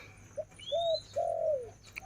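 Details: Captive female spotted dove decoy cooing: a short soft note, then two low mellow coos, the last longer and sliding down, while a thin higher whistle from another bird sounds faintly.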